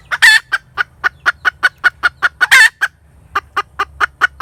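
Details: Cackling hen giving a steady, fast string of even clucks, about five per second, broken twice by a long harsh screeching note. A brief gap comes before the series resumes.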